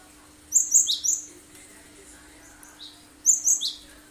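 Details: Cinereous tit in lively sharp song, used to coax other birds into singing and copying it: two bright phrases of three fast high notes, each ending on a lower note, separated by a pause.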